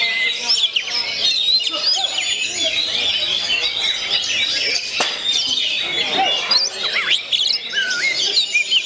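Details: Oriental magpie-robin, a 'kacer gondo mayit', in a continuous tangle of high chattering notes, quick whistled slides and scratchy trills. A sharp click breaks in midway, and the song keeps up without pause.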